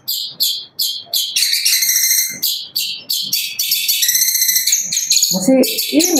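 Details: Young caged long-tailed shrike, about six months old, singing a fast, dense contest song with varied mimicked material: rapid bursts of harsh, buzzy and whistled notes, about 158 per minute, with rising whistles near the end and brief men's talk.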